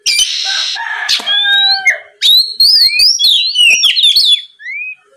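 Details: Oriental magpie-robin singing as a lure to provoke rivals, opening with a harsh buzzy rasp and a long flat whistle, then fast rising and falling whistled slurs and chips.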